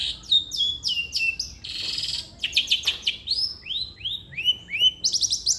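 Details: Long-tailed shrike song used as a prompt for a lazy shrike: falling whistled notes, a harsh rasping burst, then a run of rising slurred whistles and chattering trills.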